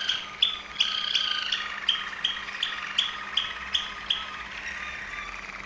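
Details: Song of a Waterslager Malinois canary, Serbia: a steady series of bright whistled notes, about three per second, over a soft rolling undertone.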